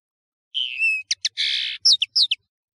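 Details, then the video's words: Song of a European serin, the nino of Algeria and kamacho of Morocco, from a clear training recording: a thin descending whistle, a sustained buzzy trill, then several sharp high chirps in quick succession. "تغريد طائر التفاحي"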